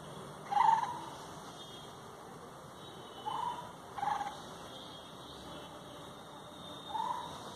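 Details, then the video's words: Rural Bengal birdsong with brief whistled notes, one loud and clear near the start, then softer paired notes a little later and a final short whistle, set against a constant electrical hum. "গ্রামবাংলার পাখির ডাক"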